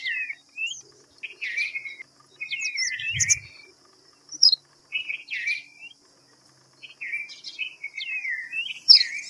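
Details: White-browed fantail: short slurred whistles and chirps, some falling and some rising, given in loose bursts with brief pauses, over a steady high insect-like hum.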